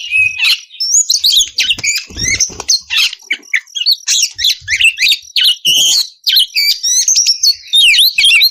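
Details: Oriental magpie-robin in loud ngeplong song, meant to prompt other magpie-robins to answer; continuous, rapidly changing phrases of sharp whistles, harsh chatter and down-slurred notes repeated with short breaks.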